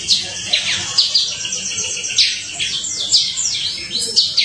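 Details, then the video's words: Canary singing as a lure to prompt other canaries to sing: varied high chirps, sharp upslurred and downslurred notes and short warbled bursts, irregular in rhythm, over a faint low background murmur. "Kenari extrajos suara jernih"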